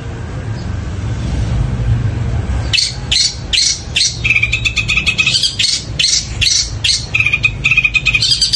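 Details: Long-tailed shrike, known locally as cendet, breaking into long loud sparrow-like song after a quiet start: repeated buzzy chirps with short whistled trills, steady and energetic.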